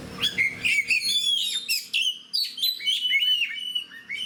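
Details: A hobby-kept oriental magpie-robin in fighting mood pours out rapid, twisting whistles: fast rising and falling slurs, buzzy high flourishes and short clipped notes, densely packed with only brief gaps. The background is quiet.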